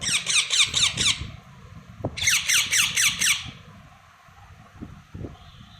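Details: Baby parrots giving two bursts of harsh, rhythmic chirps, each burst of five or six scratchy notes, followed by quieter background with a few soft clicks.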